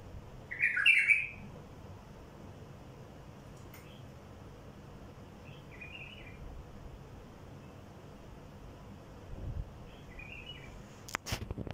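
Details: Wild bulbul song to attract wild bulbuls: a loud burst of bubbly notes at the start, then two faint short phrases spaced well apart, with sharp clicks near the end.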